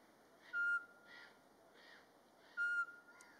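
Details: Mating-season song of a Eurasian pygmy owl (Glaucidium passerinum), recorded in March in Latvia in daytime, bird behaving naturally: two clear, flat whistled hoots two seconds apart, with soft, fuzzy other sounds between them.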